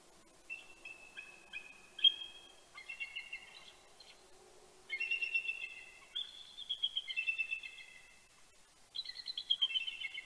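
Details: Bald eagle pair at Big Bear, California, trading morning greetings before sunrise on 26 October 2019: rapid series of high, squeaky staccato chattering notes, several bursts rising and falling, answered back and forth, with other eagles calling.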